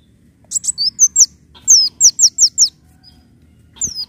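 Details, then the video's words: Leafbird song for luring: fast chattering chips followed by a run of five quick descending whistled notes, then a pause and another slurred whistle. "PANCINGAN BUNYI KOLIBRI DAUN"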